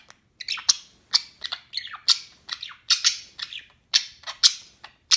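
A budgerigar chatters in quick, scratchy chirps and squawks, bursts coming several times a second.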